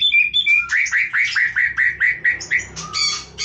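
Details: White-rumped shama song opening with high whistles, then a steady series of about ten loud upward-sweeping notes repeated roughly every quarter second, ending in bright buzzy phrases over a faint low hum.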